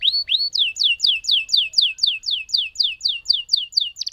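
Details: Lemon canary song with two rising whistles followed by a long regular run of sharply falling whistled notes, roughly four each second.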